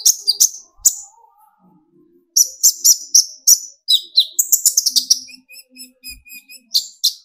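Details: Olive-backed sunbird (kolibri ninja), young speckled to full metallic bird, singing to rouse other birds: scattered sharp high chirps, then a dense run of squeaky notes and a soft, rapid, ticking trill.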